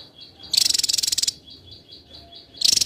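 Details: Rapid, high-pitched rattle of Javan tesia song in a dense tutor-recording style for contest birds: a burst of under a second, a pause filled with soft, evenly spaced high peeps from another bird, then a second burst beginning.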